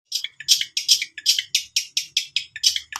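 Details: Long-tailed shrike song used as a lure to coax a reluctant bird into singing: a run of about a dozen buzzy, high chirps, repeated roughly four times a second with uneven spacing, in a quiet setting.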